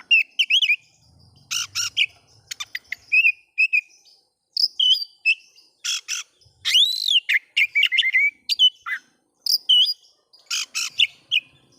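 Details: Oriental magpie-robin singing to stir up rival magpie-robins, a lively run of clear whistles, sweeping slurred notes and scratchy raspy bursts, separated by brief pauses.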